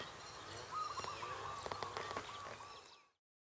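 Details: An Indian nightjar in Thailand, lying still on the ground in the daytime, gives a brief run of short, knocking mid-pitched notes, about four a second, against steady background hiss and a few clicks.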